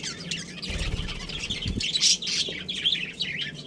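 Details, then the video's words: Pet budgerigars in a colony with a breeding pair, giving dense, scratchy, high chirps and warbled chatter that overlap almost continuously, with a few low thumps and rustles underneath. "Adorable Budgies Chirping Sounds"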